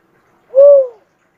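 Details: Cuckoo-dove giving a single clear, low hooting coo about half a second long, slightly rising then falling in pitch, with a faint overtone above; quiet background otherwise.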